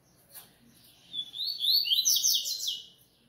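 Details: Captive coleiro (Double-collared Seedeater) delivering a fast, twittering song phrase of high rising and falling notes that builds to a loud middle and tails off.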